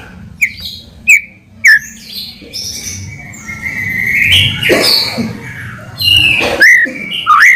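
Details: White-rumped shama lure song meant to draw a reply: separated sharp whistled slurs, then a busier stretch of overlapping warbled and buzzy phrases, ending in strong downslurred whistles; low hum underneath.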